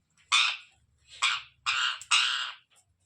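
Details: Rose-ringed parakeet screeching four harsh, raspy squawks. The first two stand apart, the last two run almost together, each loud and noisy with an abrupt start.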